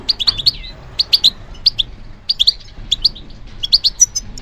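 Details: Song of a European goldfinch responding to stimulation, made of short clusters of sharp, high tweets, two or three notes each, separated by brief pauses and ending in a thin whistled note.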